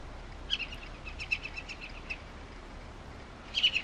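Hen Harrier giving a quick series of sharp, high chattering notes, about six in a row, then a brief louder burst, over a faint low hum.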